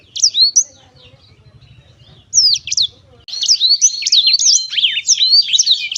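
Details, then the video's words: Two short bursts of high whistled notes from a Black-throated canary, then a dense, rapid, buzzy twittering phrase; low rumbling background in the quiet middle stretch. "kicau merdu siBLACKTHROAT selalu menemani dengan ceria"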